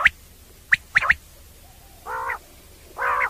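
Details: Common quail (batair) sounds for night hunting: a sharp note and a fast whistled pair, then two hoarse, nasal harmonic croaks about a second apart.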